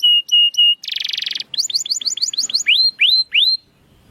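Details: Canary song to coax quiet canaries into song: three flat piping notes, a loud buzzy rattle, a run of short chirps, then three drawn-out upward-curving whistles.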